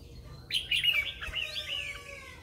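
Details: Morning song of a red-whiskered bulbul kept as a lure bird: a single run of fast, bubbling, wavering whistled notes, loud at first and slowly trailing off, over a faint low hum.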